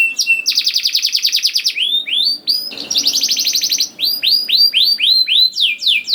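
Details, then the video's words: Canary song for enticing young canaries to sing: a loud buzzy rolling trill, a series of arched whistled notes, a second dense trill, then repeated sweeping whistles. "KENARI GACOR DOR NGEDUR NGOTOT CUIT CUIT NGEROL AMPUH PANCINGAN KENARI PAUD"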